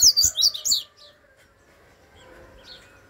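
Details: Double-collared seedeater giving a brief, loud burst of high, rapid chirping notes under one second long, followed by near silence with a few faint distant chirps.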